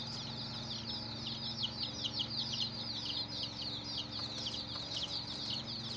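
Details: Chicken chicks, a hen's brood, chirping constantly: dozens of thin, high, falling peeps layered into a continuous twittering chorus, with a faint low background drone.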